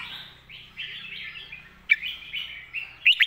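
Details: Master song of a red-whiskered bulbul for teaching young birds. Soft, wavering warbles lead into a sudden sharp note, then a short run of loud, ringing whistles at the end.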